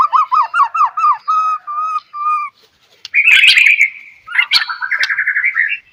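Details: White-rumped shama singing as a lure for other shamas. It opens with a run of rich, evenly spaced downslurred whistles, then a short pause, a harsh scratchy burst, and a fast rattling trill.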